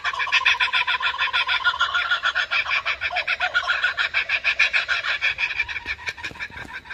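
A kookaburra gives its loud, rapid laughing chorus, harsh chuckling notes pouring out about three to four a second, rising and falling before trailing off.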